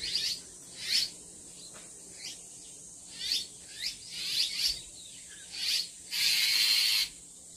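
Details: Bull-headed Shrike mother guarding her six chicks at a farmhouse in Chubu-myeon, Geumsan, South Chungcheong, Korea, caught on an old smartphone: harsh, raspy bursts repeated irregularly about every half second to second, ending in one longer hissing rasp.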